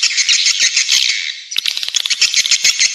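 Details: Swiftlets in a calling sound used to lure them to nest: dense, continuous high chittering twitter that dips briefly near the middle, then returns as rapid clicking chirps.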